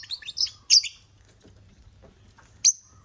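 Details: African lovebirds gathered on a toy construction crane loaded with millet, feeding: a quick flurry of high, squeaky chirps, a pause with faint pecking ticks, then one sharp shrill chirp near the end.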